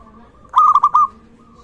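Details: Zebra dove of local Indonesian stock, singing readily and kept as a training lure for other doves. A single rapid, stuttering coo of about four clipped notes is heard, with a soft continuous background tone before and after.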